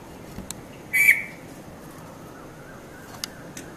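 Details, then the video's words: Red-vented bulbul at Mount Lavinia, Sri Lanka, in early morning between 5:30 and 5:40 a.m., gives one brief, harsh chirping note against a quiet background with a few faint ticks. "Red-vented Bulbul Bird Voice | Sounds of Bulbul"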